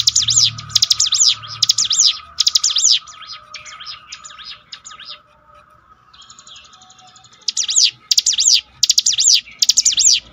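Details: High, rapid prinia phrases in a string of bursts, then a softer stretch of scattered thin notes, before four loud phrases of sweeping strokes return. Bar-winged prinia audio for rousing a dispirited bird.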